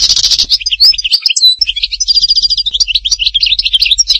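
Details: European goldfinch, Htatba, Tipaza, singing a continuous stream of quick liquid twitters, with a brief buzzy rattle and short clear whistled notes woven through a high, jangling phrase.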